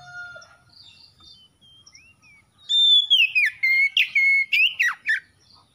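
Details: A caged magpie-robin, encouraged back into steady song after stress, opens with a bright sustained whistle and follows with a rapid chain of sharp descending whistled notes, about four each second, over faint other birds.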